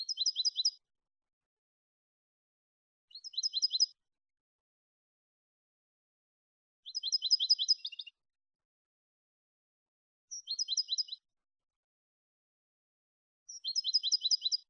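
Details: Clean Malagueño-style European goldfinch song meant for teaching goldfinches: five short, high, rapid twittering phrases of repeated chirped notes, each under a second, spaced about three seconds apart in silence.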